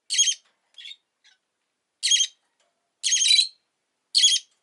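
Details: Shrill screeches from a rosy-faced lovebird: four loud, grating bursts with a couple of faint short notes early on, spaced irregularly about a second apart.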